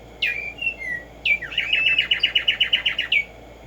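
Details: Black-striped sparrow, known as Tumba Yegua or tico tico, singing in the morning: a few slurred introductory whistles, then a fast even trill of about a dozen sharp repeated notes, ending with an upslurred note.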